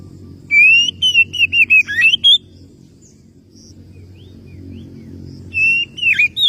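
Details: Oriental magpie-robin summoning a rival: a fast phrase of sliding whistled notes, mostly falling slightly, ending in a rising flourish, then a long pause and a second, shorter burst of whistles.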